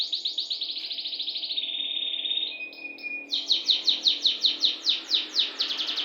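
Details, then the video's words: Long canary roll: a dense buzzy trill slides gradually lower and smooths into a steady tone. A few short whistles follow, then a fresh series of crisp downslurred notes repeated rapidly. "BURUNG KENARI NGOCE,NYA NGEROLL . . . .PANJANG"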